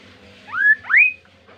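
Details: A kaso-kaso bird's melodious double whistle: a rising slur followed closely by a steeper, higher rising slur, with faint background hum.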